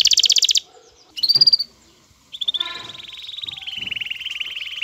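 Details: Aroused male canary courting a female, with the female's call said to be included. A buzzy rapid trill, a sharp upslurred chirp, then a long, steady, slightly falling rolled trill held for over two seconds.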